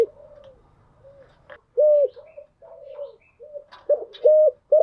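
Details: Morning coos of a kept spotted dove: a series of short, even, low hoots, some loud and some soft, with faint clicks and light rustling in between.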